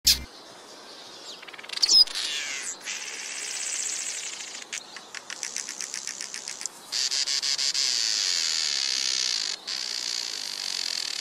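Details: Red-headed weaver (Anaplectes rubriceps) tying knots while building its nest gives high, sizzling, insect-like buzzes: a rapid stuttering series of ticks running into long, thin, hissing trills.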